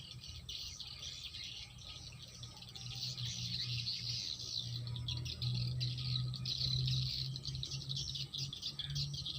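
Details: Swiftlet calls form a dense, continuous twittering of rapid high chirps, many overlapping and fairly steady throughout, above a low constant hum.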